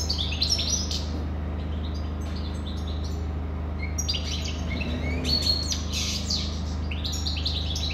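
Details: Bright, fast twittering from a European goldfinch, mixing tinkling notes with buzzy trills in repeated bursts, over a constant low-pitched hum.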